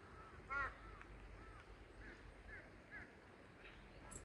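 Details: Crow, one of many crows at the site, apparently annoyed at being filmed, gives one loud, harsh caw followed by several fainter, shorter calls over a few seconds against a quiet outdoor background; the call seemed to be calling out "hey, hey".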